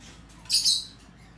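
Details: Fischer's lovebird kept as a pet, recorded 6 April 2020, giving one short, shrill, high-pitched squawk lasting under half a second, with a faint low hum in the background.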